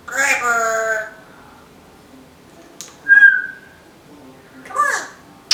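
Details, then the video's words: Female Timneh African grey parrot indoors, which imitates household noises, gives a harmonic nasal call, then a brief whistle and a harsh falling squawk with clicks. "The smartest African Grey Parrot, TALKING - singing, and making vacuum sounds."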